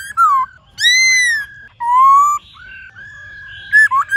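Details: White-cheeked laughingthrush giving long, clear, drawn-out whistles in forest style, some falling and some level, ending with a few short quick notes.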